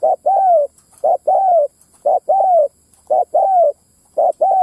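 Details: Spotted dove lure call for drawing in wild males and females, ground-style: a quick hooting note then a long, smooth, downward-sliding coo, repeated about once a second, with a thin constant high hiss behind.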